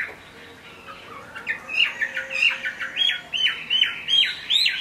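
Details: Caged Chinese hwamei singing in the rain: after a quiet start, a fast series of sharp, bright whistled notes repeated several times a second, each a quick downward slur.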